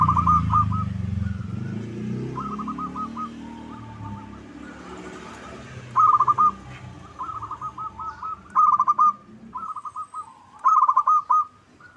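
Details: Local zebra dove lure call used to make other doves sing and reply: low rumbling noise fades as repeated stuttering coo phrases build, several loud ringing bursts of quick notes alternating with softer phrases.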